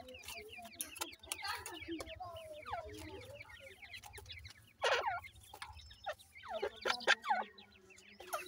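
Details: Captive francolin chicks being fed and trained give many short, high, downward peeping chirps in a busy, overlapping chorus, with some lower voices underneath.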